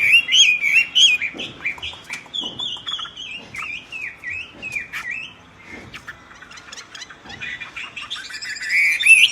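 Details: Myna singing loudly: a run of clear, wavering whistled notes that bend up and down, with sharp clicks between phrases and a bright, rising whistle at the end.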